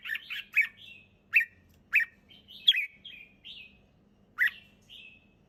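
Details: Red-whiskered bulbul, calm and clear-voiced, giving spaced bright chirps and short rising whistles with softer trailing warbles, roughly one phrase every second, a quiet low hum in the background.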